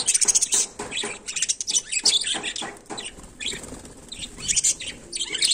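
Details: Budgerigar in its daily routine chattering in dense, scratchy bursts mixed with thin chirps, loud and fast, briefly easing before picking up again.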